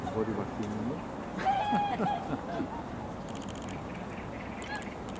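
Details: Wintering whooper swans in Korea, their loud flock voices carrying: one clear drawn-out honking bugle with stacked harmonics, plus fainter short notes, over a steady background hiss.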